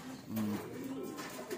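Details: Low, rolling coo from loft pigeons during a release session, a clear sustained tone followed by softer, wavering notes, backed by steady hiss.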